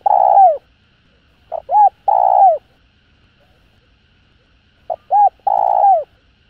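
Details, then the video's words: Spotted dove calling to stimulate other doves, repeating a three-note phrase: a soft pip, a curved hoot, then a prolonged coarse coo that sinks at its close, with gaps of about two seconds between phrases. "Tiếng Cu Gáy GỌI +THÚC Kích Bổi Nhanh Nổi. Cu Gáy.Cu Đất Gáy hay"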